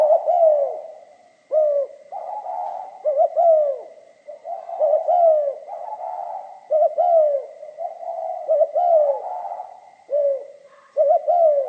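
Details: Spotted dove song of the pha kim type: repeated phrases of short stuttering notes leading into drawn-out falling coos, roughly every two seconds, with a thin constant tone in the background.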